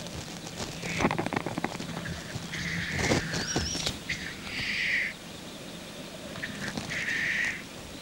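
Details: Black grouse cocks at a courtship lek give repeated hoarse hissing notes, each under a second, some overlapping, with scattered clicks and faint chirps of other birds.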